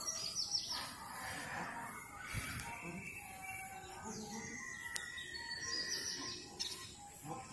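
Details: Sun conures on a morning free flight give scattered shrill chirps and short downward-sweeping squawks at uneven intervals, with faint background noise, possibly music.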